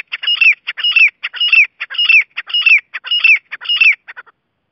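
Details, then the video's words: Grey francolin in full call: a fast, regular chant of scratchy phrases, each ending in a loud downslurred whistle, about seven phrases in quick succession before a few trailing notes. "Teetar ki awaz"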